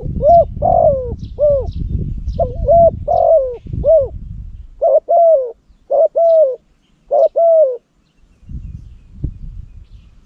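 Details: Cambodian lure spotted dove with a powerful voice coos repeatedly, about three phrases of hollow hoots with a longer falling middle note, some overlapping low rumble early, then clean calls and a quiet end. Faint high twittering nearby.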